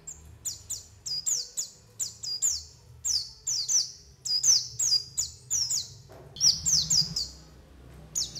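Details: A white-eye (pleci) gives a lure call used to attract and catch white-eyes: thin, high, slurred descending chips repeated in quick bursts about twice a second, with faint low background noise.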